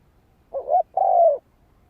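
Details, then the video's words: Single spotted dove phrase meant to rouse a decoy bird: a short wavering coo followed by a longer, smooth, gently descending hollow note, with a quiet background. "Tiếng chim cu gáy kích mồi cực sung"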